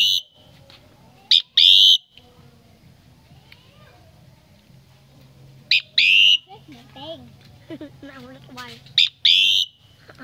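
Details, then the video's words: Common myna at a relative's home during Tet 2018: paired harsh buzzy bursts, then a run of chattering, stacked notes before another rasp near the end. "Tiếng hót chim Cưỡng"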